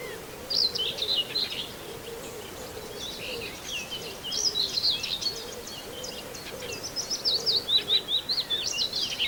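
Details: Common whitethroat song recorded near Wells-next-the-Sea: rapid, rough, high-pitched warbled phrases repeated in short bursts, growing louder near the end, with other faint bird notes and a soft low hum beneath.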